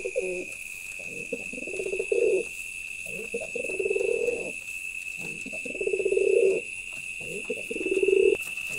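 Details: Male pigeon cooing: low, throaty, rolling coos repeated about every two seconds, each swelling and fading, with a steady high electronic whine in the background.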